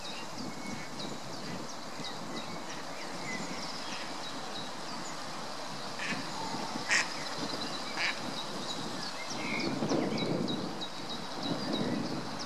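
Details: A greylag goose family at the Munich Botanical Garden in April 2018 gives soft, nasal honks and low gabbling notes at irregular intervals over a steady low rumble, with a few sharp clicks.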